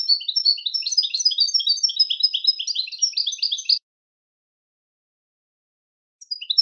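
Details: European goldfinch song: a rapid tinkling run of twittering, chirruping notes high in pitch for nearly four seconds, then silence and a brief restart at the end; clean, noise-free recording.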